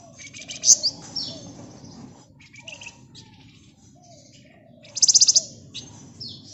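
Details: Flamboyan bird in ngebren nyerecet style for use as a lure: a sharp high chattering burst, then quieter thin twittering and a pause, closing with a loud rapid rattling trill.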